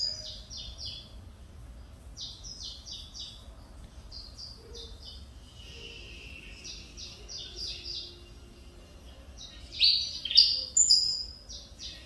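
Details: Saffron finch of the Mineirinho line, son of a Cobrap runner-up and a CMA-registered mother, singing again after nearly two years of stuck feathers. Bursts of sharp, buzzy, downslurred chips separated by quiet gaps, with a louder jumbled phrase near the end.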